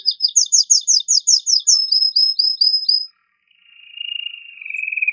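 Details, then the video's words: A male canary sings hard and excitedly to stimulate female and male canaries toward mating: about a dozen clipped repeated notes, a short pause, then a lower drawn-out trill that swells in volume. "تغريد هائج قوي لذكر كناري من أجل تحفيز أنثى وذكر الكناري على التزاوج"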